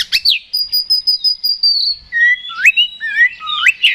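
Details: Oriental magpie-robin singing loudly in fighting mode, used to provoke a rival: a long, steady high whistle gives way to short, rising, slurred whistled notes in quick succession.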